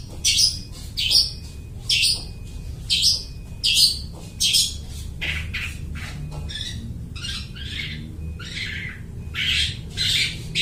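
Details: Long-tailed shrike in loud, chattering song that imitates other birds, used as a lure for catching birds. Harsh, buzzy bursts roughly every half second, pausing briefly near the middle, over a steady low hum.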